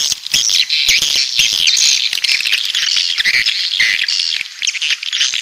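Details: Southern coastal swiftlets calling: thick chorus of shrill chirps and squeaks with wavering notes, steady clicking rattle underneath, loud and unbroken.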